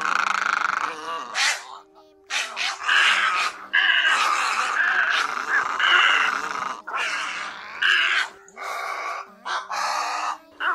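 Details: Great egret calls mixed with other egrets, used as a lure for night net trapping during August migration: harsh, rasping croaks in overlapping bursts of about a second, separated by short gaps, with a steady electrical hum beneath.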